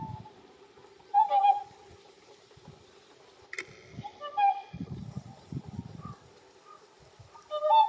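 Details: Whooper swans at Lake Izunuma, Japan, where greater white-fronted geese also call, give loud bugling honks, single and in short runs, irregularly spaced over a few seconds, with softer calling behind.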